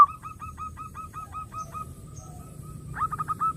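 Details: Zebra dove song for attracting other doves. A quiet, steady series of short repeated coos ticks along, fading slightly, then closes with a livelier run of quick stuttered notes.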